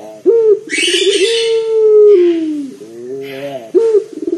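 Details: Loud, deep-voiced local turtle dove kept to lure others into calling: a brief rising note and a long level coo gliding downward, a rolling rippled note, then a fresh rising start; background hiss and rustling.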